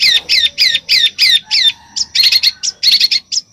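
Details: Besetan-style song from a bird: a run of rough, burry high notes, about three per second, followed by quicker clipped chips and harsh bursts.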